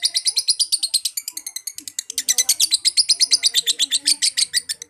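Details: Extended liyer konslet chatter from a lovebird: bright, high chirps repeated about three per second in a continuous run, with soft lower sounds mixed in.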